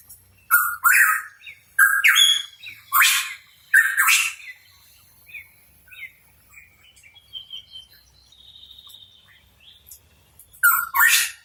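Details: Singing actively, a hooded pitohui, locally called cucak rawa papua, gives four loud harsh squawking notes in quick series, then a quiet stretch of soft twitters and thin whistles before a final double rasp.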